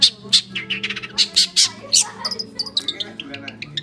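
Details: Oriental magpie-robin in full song, loud bright chirps at irregular intervals, then a quicker run of softer twittering notes, all above gentle tonal music playing low in the background.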